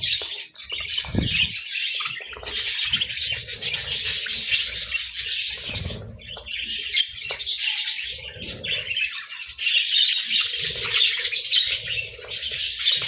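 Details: Pet budgerigars munching treats chatter in dense, high-pitched chirps and warbles, with soft clicks of eating underneath.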